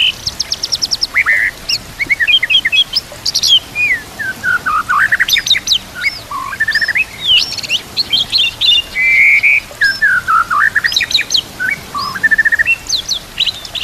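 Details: Long, varied white-rumped shama song recorded for training birds, over trickling water and nature sounds: rapid high ticking bursts, swooping fluty whistles and buzzy trills in quick succession.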